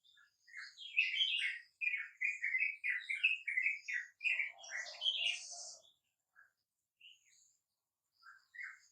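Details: Sooty-headed bulbuls at dawn responding to a lure: a chattering run of quick chirpy whistled notes for several seconds, then a harsh burst and scattered softer notes.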